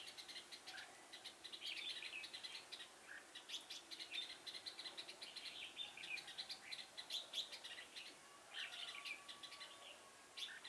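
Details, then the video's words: Trapped red-whiskered bulbul of the Đinh lân type with a long throat, 6 November 2017, sings bright, chattering phrases of quick whistled notes, bursts repeating every second or two over a steady faint hiss. "chào mào Đinh lân - hầu Dê dài như cái bơm"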